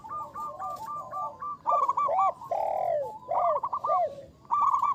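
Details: Champion local zebra dove decoy singer gives soft rapid coo runs that swell into louder clipped notes, a long sliding coo, then more quick bubbling phrases.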